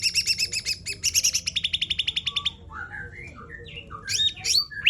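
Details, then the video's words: Sumatran laughingthrush singing in the energetic 'tembakan' style: a rapid burst of about twenty sharp, even, repeated notes, followed by varied rising and falling whistled phrases, with a faint low hum underneath. "CUCAK RANTE TEMBAKAN JOSS GACOR"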